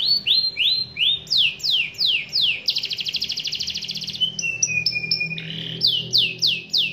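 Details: Canary in strong song, with rapid repeated rising sweeps, a dense buzzy trill, and drawn-out whistled notes, delivered in varied loud phrases; sung to call a rival into singing too.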